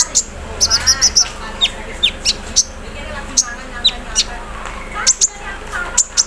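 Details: Caged sunbird singing in the morning dew, mixing quick runs of high chirps with isolated sharp ticks, plus some faint lower background sounds.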